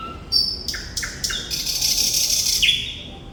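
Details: Thrush nightingale (Sikatan Londo) singing actively: loud, sharp, separated notes, then a long sustained buzzy whistle. The phrase closes with a falling slurred note.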